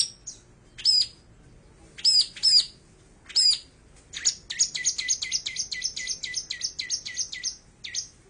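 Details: Long-tailed shrike, recorded on an Android phone: separate high, ringing whistled notes, then a fast rattling string of buzzy chips repeated many times.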